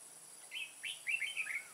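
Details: Red-whiskered bulbul decoy bird at a trap in Kim Bôi, Vietnam, 14 May 2018, singing to lure wild birds: a short phrase of bright, slurred whistled notes, two rising notes then a quick warbled run, over a steady high hiss.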